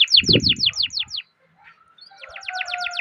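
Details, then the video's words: Canary singing to stimulate other canaries: a short run of quick falling chirps masked by a low thud, a brief pause, then a softer fast trill over a faint steady tone. "Masteran Suara Burung Kenari Ngerol Panjang cuit cuit untuk Pancingan Kenari"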